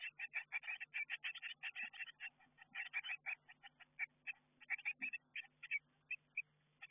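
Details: Eurasian blue tit chicks in a garden nestbox before fledging, caught on a nestbox camera; a continuous stream of quick, high, clipped chirps repeated several times a second, with faint low hum.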